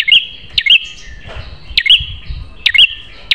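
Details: Prinia song, a loud tutoring recording for kept prinias: sharp snapping notes each followed by a quick high chirp, grouped in pairs about once a second over a thin steady high tone.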